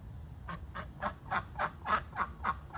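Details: Two domestic ducks give a run of harsh, nasal quacks, about three per second, loud and insistent, over a low hum. These are annoyed "open the coop door" quacks from ducks wanting out, turning to excitement when the door opens.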